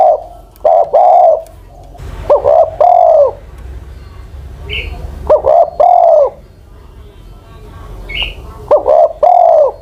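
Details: Ground decoy Spotted Dove aged over ten years singing four mellow coo phrases, short lead notes then a prolonged falling coo, with faint high chirps of another bird and light background noise.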